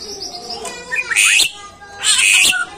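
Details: Greater green leafbird in captivity, singing to encourage other cage birds: soft high whistles, then two loud buzzy, rasping bursts.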